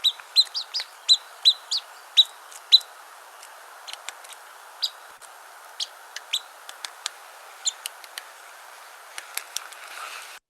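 Pygmy Nuthatches give high, squeaky peeping notes like a squeezed dog toy, several in quick succession then scattered, as from a chattering flock.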